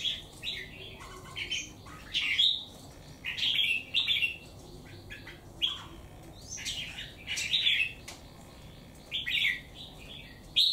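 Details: Wild-caught bird, caged for three months and marked by one white claw, pouring out its full song against a rival; bursts of loud, liquid warbled phrases come every second or two, with a few clicks between them.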